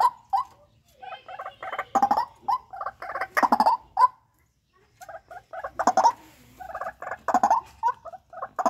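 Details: Captive-bred white-breasted waterhen calling for use as a lure, with harsh croaking notes in irregular bursts separated by short pauses, some clipped grunting phrases and a brief silence midway.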